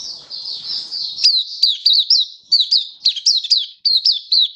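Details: Caged oriental white-eye singing in display, 24 February 2023: a soft high twittering opening, then loud quick chirps, each sliding downward, delivered in tight runs of two or three.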